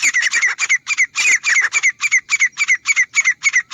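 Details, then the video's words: Grey francolin, recorded for hunting use, calling loudly in a fast, regular series of harsh, ringing notes, about three to four per second, each with a bright rising-falling tone. The background is quiet. "तीतर की आवाज़ - Teetar Ki Awaaz || Grey Francolin Hunting Sound"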